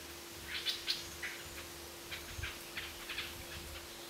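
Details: Golden-fronted leafbird at Ban Song Nok, Kaeng Krachan, Phetchaburi, Thailand, on 19/06/2554 (2011), unusually low on a branch, giving soft, scattered high chirps and short sharp notes at an uneven pace over a steady low hum.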